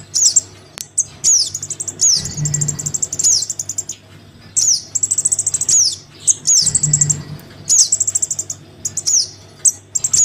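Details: Crimson sunbird young calling for its parent, a lure for birds reluctant to come down: repeated high buzzy chatters, fast tick runs and sharp downslurred squeaks in a cycle of roughly four seconds, low hum beneath.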